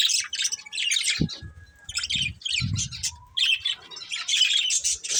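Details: Breeding pair of budgerigars chirping in short choppy bursts of squeaky, buzzy notes, separated by brief gaps with a few low knocks.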